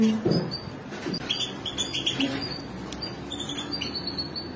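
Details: A family of European goldfinches: a run of quick, thin twittered chirps and short tinkling notes, high and jumbled, with a louder low thump and some murmuring background noise at the start.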